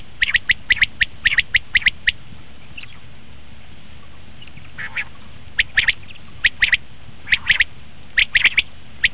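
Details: Common quail sounds for hunting: a rapid series of crisp chirps, a quiet pause, then spaced pairs and groups of sharp notes.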